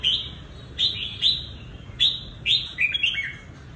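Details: Red-whiskered bulbul, a selected trap decoy bird from Cao Bằng in Vietnam, sings rapid clear chirps, several quick bright notes about every half second, ending in a descending warble.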